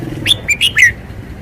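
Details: Caged red-whiskered bulbul showing off its song phrasing: three quick, bright whistled notes, each sliding up then dropping, packed into under a second, over low background hum.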